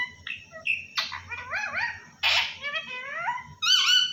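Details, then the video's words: Pet parrot talking, its words given as "Allah Hoo": nasal, wavering speech-like sounds that rise and fall in pitch, a harsh burst midway, then a high, steady, drawn-out note at the end. "Parrot Talking"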